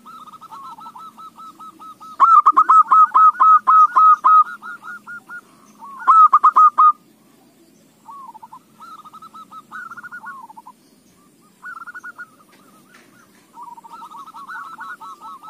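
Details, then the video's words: Zebra dove song played to lure other doves into song: background rolling coos interrupted by two loud bursts of rapid, evenly paced cooing notes, then scattered softer phrases from more distant doves. "AWAS KUTUTMU JADI GACOR !! Pancingan AMPUH"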